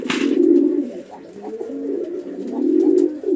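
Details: Fighting male and female pigeons on a Bangladeshi house farm in Chittagong District: a brief sharp scuff, then a deep rumbling coo, a softer wavering middle, and another swelling coo.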